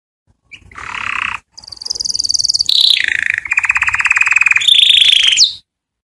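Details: Canary singing to attract females for mating: a buzzy rolled trill, a high ringing tour, then fast pulsed rolls stepping between pitches and ending in a bright rising whistle.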